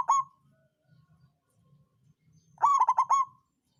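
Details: Local zebra dove of the songgo ratu style, its song used as a lure to stir other birds to sing and to coax lazy birds into calling: one short clear coo, a pause, then a quick burst of five clipped, ringing notes.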